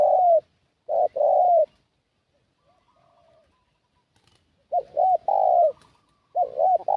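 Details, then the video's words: Spotted dove decoy call, used to lure wild doves toward the decoy spot: loud two-part coos, a short looping note then a longer falling one, given in bursts separated by silence, with faint softer coos from another dove between. "Suara Pikat Burung Tekukur"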